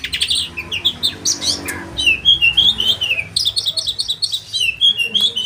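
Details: Oriental magpie-robin song for training caged birds, called sharp and rolling: rapid high whistled phrases, sliding and twisting notes in quick bursts, a short pause midway, then a run of repeated chattering whistles.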